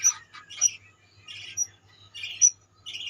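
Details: Budgerigars in a colony: scattered short squawky chirps with sharp high whistled notes, a few calls per second, quiet gaps between, and a soft low hum in the background.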